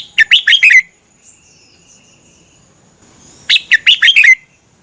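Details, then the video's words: Thai Red-whiskered bulbul song, played to teach or stir up caged birds: two matching phrases of five quick, liquid, rising and falling notes about three seconds apart, with faint thin whistles between them. "เสียงนกกรงหัวจุก สำหรับต่อ หรือ เปิดให้นกคึก เสียงเพราะๆ"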